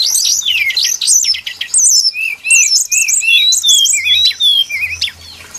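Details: Brown-chested jungle flycatcher, recorded as a trapping lure: lively warbling song of varied whistled phrases, looping slurs and short repeated rising notes, with a faint low hum beneath.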